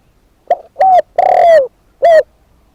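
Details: Single coo phrase from a decoy spotted dove: a brief note, a slurred coo, a long rolling falling coo, then a final short coo, loud and distorted.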